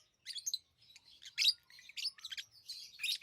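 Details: A short run of lovebird chirping: continuous high, buzzy twitters and squeaky chirps with one louder shrill note near the middle.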